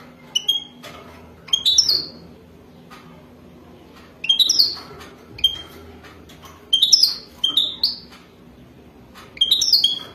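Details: Wadani European goldfinch linked to mating: short bursts of high twittering notes with quick falling slurs, repeated about every two to three seconds, separated by quiet gaps with a low background hum.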